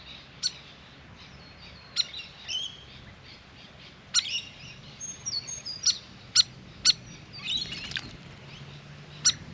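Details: Grey fantail at a backyard birdbath during a long bath, giving sharp high chips at irregular intervals, ten or so in ten seconds, mixed with faint thin squeaky whistled notes; quiet steady low hum underneath.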